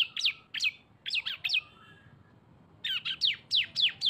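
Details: Cisem lure recording combining two birds, bold chattering song: bursts of sharp, downward-sweeping chirps, a short pause, then a faster run of similar slurred notes, about three or four per second.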